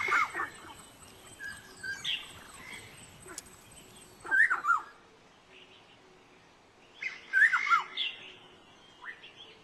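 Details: Black-necklaced scimitar babbler recorded July 2011 at Dagangshan, Taiwan: scattered bursts of short whistled and scratchy notes separated by quiet gaps of several seconds.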